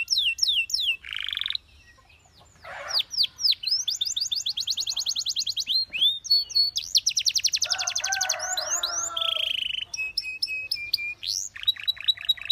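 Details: Varied song of a Belgian canary meant for canary training: rolling high trills, sweeping whistles, a lower buzzy rattle and brief pauses between phrases.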